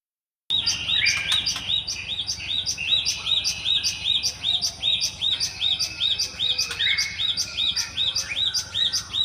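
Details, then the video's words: Java sparrow in the wild giving a long run of short, bright chirps repeated about two to three times a second, each note with a sharp upward flick, with a steady low background hum. "burung glatik"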